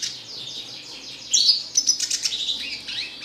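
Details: Red siskin singing: a soft, fast run of repeated descending slurred notes, then a louder burst of sharp high chirps and buzzy trills that continues to the end.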